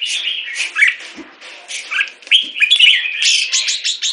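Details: A molting Red-whiskered bulbul gives a lively run of bright, chattering whistled phrases, mostly high-pitched, with quick notes and short warbled bursts throughout.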